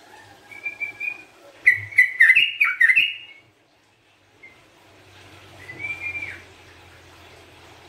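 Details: Sooty-headed bulbul in lively full song, used as a lure and therapy recording: short, bubbly whistled phrases rising and falling, one burst of rapid notes, then a lone phrase after a pause, over a low steady hum.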